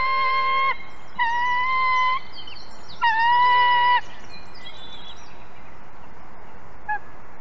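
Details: White-tailed eagle at a nest in Ķemeri, Latvia, with eaglets, 18 April 2024 around 11:32, while a small fish is fed. Three drawn-out, steady whining notes with strong overtones, each under a second, over constant hiss and faint higher chatter.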